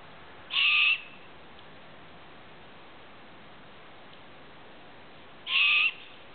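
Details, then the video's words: An owl at a campsite gives two short raspy screeches about five seconds apart, each roughly half a second long and flat in pitch, with quiet hiss between them. "There's an owl in my campsite!"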